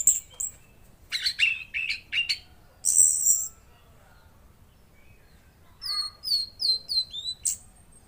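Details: Tledekan laut (mangrove blue flycatcher) singing: hurried high chirps and a shrill buzzy note, a short silence, then a neat series of repeated falling whistles.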